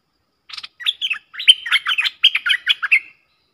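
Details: Streak-eared bulbuls dueling in song as a pair, 30 October 2021: a rapid string of about fourteen sharp, falling chirps, about four notes a second, forming one chattering phrase.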